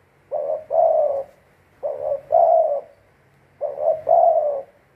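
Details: Spotted dove kept as a trapping decoy giving three clear paired coos, a short note then a longer, rougher, slightly falling one, spaced about 1.5 seconds apart.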